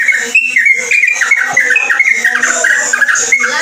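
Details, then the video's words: Yellow-vented bulbul singing in the rapid, unbroken ropelan style. Dense, loud whistled phrases overlap in quick succession, with short rising and falling notes and a steady hiss in the background. "Burung Trucuk Ropelan Unik"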